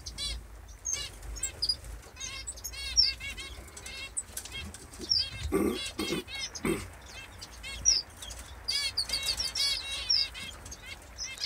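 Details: Senegal white-eyes give many thin, high chirps and short trilled notes, scattered and overlapping through the recording, over low rumbling background noise with a few soft thumps.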